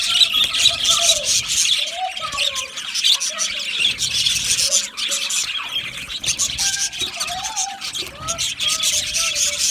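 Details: Lonely budgerigars make loud contact or distress calls: busy high chirping over repeated short whistled notes that rise and fall, about two per second, with brief pauses in the chatter.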